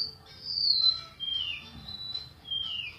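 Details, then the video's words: Golden-bellied gerygone song made of long, sweet, high whistled notes. Each one slurs downward, and the notes follow one another over three seconds against a quiet background. "suara burung remetuk laut"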